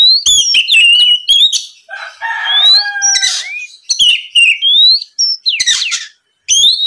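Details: Oriental magpie-robin in vigorous song to provoke rival birds: fast whistled phrases, a burst of layered scratchy notes in the middle, then more rising whistles and harsh rasps.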